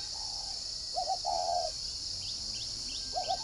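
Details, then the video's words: A spotted dove used as a decoy, with the 'giọng còi' voice, at a bird farm in Ba Vì, Hanoi, Vietnam. It gives one full cooing phrase with a stutter and a drawn-out note, then starts another. Faint chirps and insect hiss are also heard. "Mồi giọng còi"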